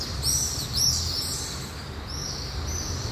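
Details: Pallid swifts (Apus pallidus) flying over downtown Thessaloniki, Greece, on 20 July 2023, give thin, high screaming calls in several short streaks in quick succession, over a steady low rumble of city traffic.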